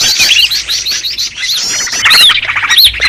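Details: Noisy Green leafbird lure sound: quick overlapping twitters and arched, slurred whistles rising then falling, with bright chatter around them.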